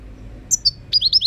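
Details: Short European goldfinch phrase: two bright, piercing notes, then a fast, liquid series of four slurred, twittering notes. The background is quiet.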